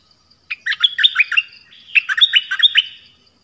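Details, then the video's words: Song of the nok dok taeng, a recording played so young birds learn and sing along and wild birds are lured: two quick phrases of sharp, varied whistles and chirps, each about a second long, separated by a short pause. "เสียงนกดอกแตงEp.5 Birds sounds เพลงเบิ้ล เปิดให้ลูกนก-ลูกเสอร้องตาม ใช้ต่อนกป่า เปิดให้นกคึก"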